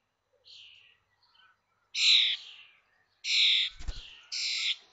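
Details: At a connected nest box in Théding, France, on 19 May 2024, five common starling chicks fledge 21 days after hatching; harsh, hissing, noisy squawks come in four bursts, two of them loud, with a brief knock between.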